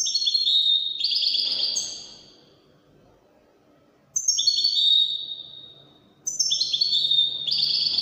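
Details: European goldfinch singing Wydani-style Moroccan song in three bursts: each opens with sharp twitters and a drawn-out whistled buzz, separated by pauses of one to two seconds.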